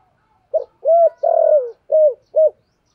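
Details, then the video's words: Spotted dove decoy bird with the 'giọng thổ' voice style, cooing to provoke wild doves in daily training: five low hooting coos, the middle one long and slightly falling, the others short and even, in a quiet setting. "cu gáy giọng thổ kích bổi hiệu quả luyện mồi gáy theo hàng ngày"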